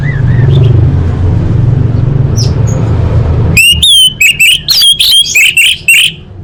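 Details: Female orange-headed thrush calling to males, used to coax silent birds into singing: after three seconds of low rumbling background noise, a rapid run of loud, high, sharp chirps and short whistled notes, about a dozen in quick bursts.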